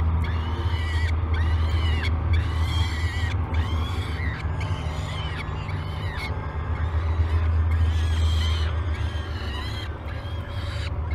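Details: Great Spirit Bluff peregrine falcon nestlings at feeding time, live nest cam, 22 May 2020; rapid series of short, harsh harmonic cries repeating more than twice a second, over a loud low rumble.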